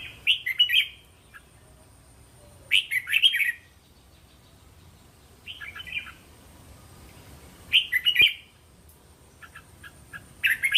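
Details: Red-whiskered bulbul provoking song, played to cage-trained young bulbuls so they reply: short bright warbled phrases of three to five syllables, repeated about every two to three seconds with quiet gaps and faint hiss.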